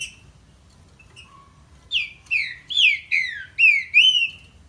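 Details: Green-winged saltator (trinca-ferro) song: after a few soft, scattered whistles, a run of loud, clear, downslurred whistled notes about every half second, with a low background hum.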